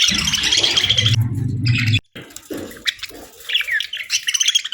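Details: Budgerigars chirping on a peaceful morning: high chattering over a low humming rumble for two seconds, then after a sudden gap, scattered short chirps and twitters.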